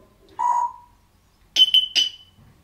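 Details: Male Congo African grey parrot, a talking pet, gives one held mid-pitched whistle, then after a pause three quick, higher chirping notes close together. No other sounds are heard.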